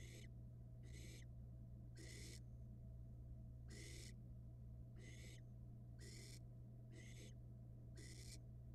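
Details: Nestling barn owl on a Florida nest cam, gulping down a rat; a run of eight rasping, noisy hisses, each about half a second, coming about once a second against constant low electrical hum.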